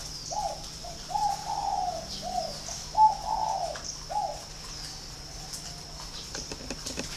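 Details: A spotted dove kept at a farm in Ba Vì, Hanoi, Vietnam, with a voice its keeper praises as very ringing. It gives a full cooing phrase of clear, resonant notes, then falls quiet amid light clicking noises.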